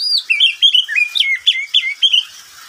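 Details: Oriental magpie-robin kept as a pet, singing in the middle of the day: a rapid chain of about ten short, clear whistled notes, dipping and rising in turn.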